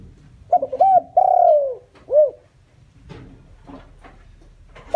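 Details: Spotted dove decoy calling to attract wild doves, giving a single phrase of short paired notes, a long sliding coo and a brief arched note, followed by several dry clicks and taps.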